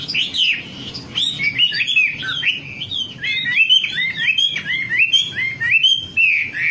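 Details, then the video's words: Wambi song used as a lure recording to get other birds singing: a continuous run of high, sliding whistled notes, twisting up and down, with no pauses over nearly seven seconds. "Suara pancingan burung wambi agar cepat gacor"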